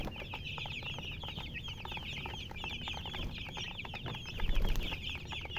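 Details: A crowd of baby chicks chirps nonstop with high, quick down-slurred peeps. A deeper rumble swells briefly near the end.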